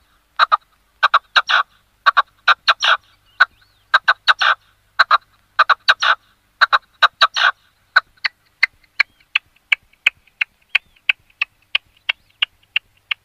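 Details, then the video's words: Red-legged partridge song of grating, chuckling notes in tight clusters of two to four, then a long run of thinner, evenly spaced single notes that grow quicker toward the end. "Perdiz Vermelha Cantando, Red-legged Partridge"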